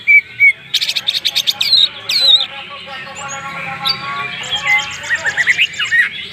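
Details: Banyuwangi greater green leafbird singing an elaborate isian mewah song: quick sharp notes and rattles open into a busy run of warbled, buzzy and whistled phrases that overlap densely.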